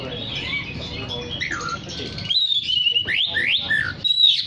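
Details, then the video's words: Oriental magpie-robin in full song, played to call in other magpie-robins. Soft warbling leads into a clear level whistle, a series of steep upward sweeps, and high whistled notes. "Terapi Suara kacer gacor untuk memanggil kacer lain dijamin langsung ikut bunyi"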